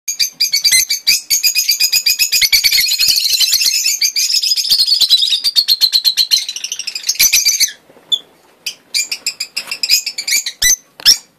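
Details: Young Rosy-faced Lovebird chicks, the first of 2013, give a dense stream of high, harsh chirps repeated rapidly for about seven seconds, then sparser, scattered sharp chirps with short gaps.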